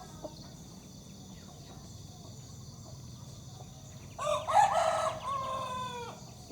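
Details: Crowing of a broiler rooster, one of two used as breeding cocks in a rural hamlet. Faint chirps and ticks come first, then a loud, rasping crow bursts in, holds roughly two seconds and fades away.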